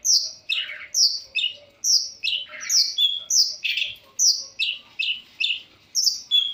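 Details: Long-tailed shrike singing in full variation: a regular series of loud, descending slurred whistles, each dropping sharply in pitch, repeated roughly every half second with brief pauses.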